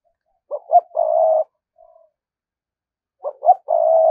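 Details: Lure spotted dove used to call in wild doves, giving its cooing phrase twice: two short coos then a long level low coo, the phrases about three seconds apart with quiet between.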